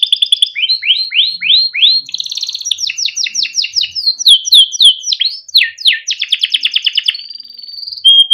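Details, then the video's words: Timbrado canary delivering a beautiful melodic training song: repeated falling swept notes about three per second, bright rolling trills, a held whistle, then a final short note; clean recording. "Timbrado canary singing beautiful melodic songs for training"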